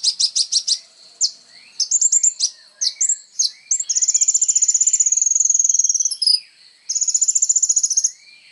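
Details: Kolibri ninja sunbird singing actively, used as training material for songbirds: quick buzzy notes and sweeping whistles, then two long, fast, high trills, the first about two seconds long.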